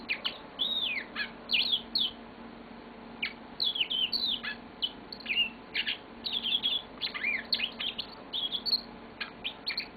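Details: Long, continuous song of a pet yellow-fronted canary kept indoors, high twittering chirps mixed with rising and falling whistles and quick trills, with hardly any pauses.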